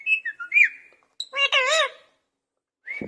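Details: Caged parrot whistling a few sliding notes, then producing a wavering, nasal meow imitating a cat, ending with a brief rising whistle.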